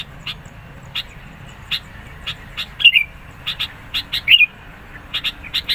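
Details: Insistent sooty-headed bulbul song for luring and provoking rivals; quick clipped chips, increasingly clustered, broken by two loud bubbling slurred phrases in the second half.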